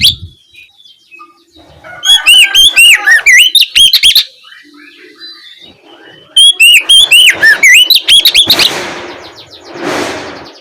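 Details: Afternoon lure of Oriental magpie-robin ngeplong song, used to coax other magpie-robins to sing back. Two bursts of rapid, bright whistled notes and slurs, with quieter chirps between them and bursts of broadband noise near the end.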